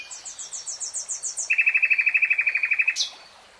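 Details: Common nightingale (Luscinia megarhynchos) phrase: a rapid string of high rising notes followed by a loud, evenly pulsed rattle of about twenty clear repeated notes, ending in a sharp upward flick.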